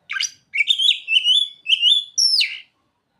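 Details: Oriental magpie-robin song carrying ciblek and sogon mimicry: five quick phrases of rising, ringing whistles with harmonics, ending in a high sharp downward-sweeping note.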